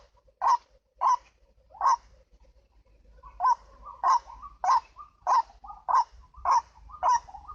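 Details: White-breasted waterhen (ruak-ruak) used for luring: three spaced harsh calls, a brief pause, then a tighter series of loud croaks with soft notes between them.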